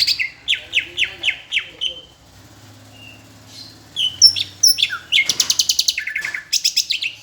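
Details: Greater green leafbird tutor recording from Palembang, imitating an Asian brown flycatcher: a series of downslurred chirps, a quiet pause with low hum, then varied high whistles and a fast rattling trill.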